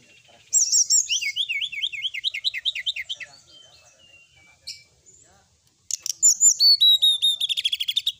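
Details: Sooty-headed bulbul song, described as a full, lively song used as training material for a singing bird, heard at night: rapid series of rising and falling whistled notes, then a burst of bright repeated trills.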